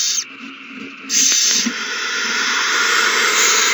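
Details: Owls at a nest during a frenzy after a mouse is found and handed over, 21 March 2020: a short hiss, a pause, then loud, rasping hissing that runs on without a break.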